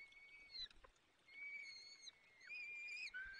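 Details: Male peregrine falcon feeding young at a nest in the Barycz Valley, afternoon of 30 April 2020, with the female absent. Faint, thin drawn-out whistles, some sliding down at their ends, over a soft hiss.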